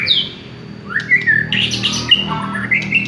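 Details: Village-type white-rumped shama lure song. A high whistle falls away, then a brief noisy chatter follows, with clear upslurred whistles near the end over a steady low hum.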